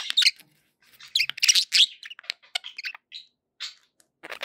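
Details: Happy budgies chirping in quick scratchy bursts, then spaced short tweets and a thin whistled note amid pauses.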